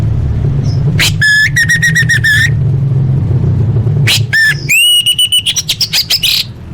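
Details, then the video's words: Orange-headed thrush in a full fill-in contest training recording: rich whistled notes repeated in fast even series, a long rising whistle, then a run of quick sharp chips over steady low hum. "Masteran Anis Merah Full Isian untuk Lomba Besar & Latber Elite"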